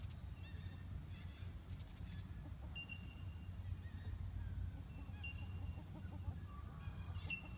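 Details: Australian wood duck (Chenonetta jubata) giving short nasal calls, some drawn out and slightly rising, scattered over several seconds above a heavy low rumble.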